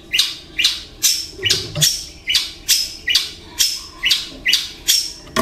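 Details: Caged long-tailed shrike with mimicked kingfisher, fighting sparrow and lovebird material. Sharp, harsh descending notes repeat steadily about twice a second, each a loud downward-sweeping squeal.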